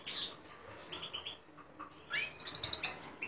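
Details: Hybrid of goldfinch and linnet, 2017, singing scattered high chips and short buzzy notes, then a rising slurred note and a fast run of bright tinkling twitters near the end, faint room hiss behind.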